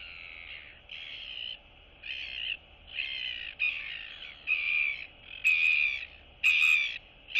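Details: Neighbouring royal albatross chicks chatting and greeting one another in a breeding colony on 9 September 2022; a run of about eight harsh, raspy calls, each under a second, spaced roughly once per second, the later ones louder with clicks.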